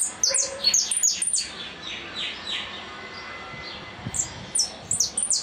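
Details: Goldfinch singing repique. A fast run of high falling notes opens, then eases into softer slurred phrases before crisp descending notes return near the end.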